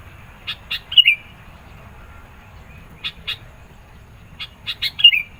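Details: Song of a sooty-headed bulbul, played to challenge rivals and attract birds: a brief bright whistled phrase near the start and another near the end, separated by scattered dry clicks and quiet gaps.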